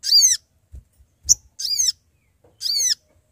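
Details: Sooty-headed bulbul call meant to summon companions and lure birds for trapping: three rich, downward-bending notes with strong overtones, roughly one per second, between soft low taps.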